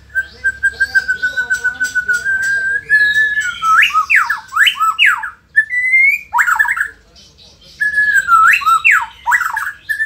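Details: White-rumped shama from Indonesia, a lively performing bird, holding a long steady whistled note with sharp ticks, then bursts of steeply sweeping zigzag whistles, a pause, and more sweeping phrases.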